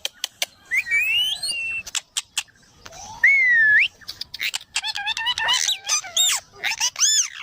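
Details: Parrot making funny, cute sounds: a run of bright whistles rising and falling, a long sliding whistled note, then buzzy harmonic squawks and sharp clicks in quick bursts.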